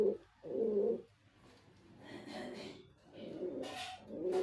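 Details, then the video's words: Brief deep coos from a male white pigeon open and close the recording; between them come softer rustling and faint voice-like noise. "Pigeon🕊️ Sound Effect 🔊 || Male Pigeon🕊️ Super Performance👍 || White Pigeon🕊️"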